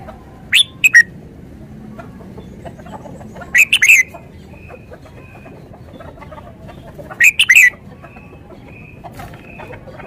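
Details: Red-whiskered bulbul repeating short bubbly whistled phrases roughly every three seconds, three bursts in all, with faint thin whistles and soft clicks between them.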